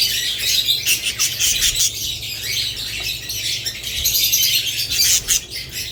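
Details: Budgerigar flock chatter: rapid high chirps, squeaks and short warbled notes tumbling over one another throughout, backed by a low steady hum.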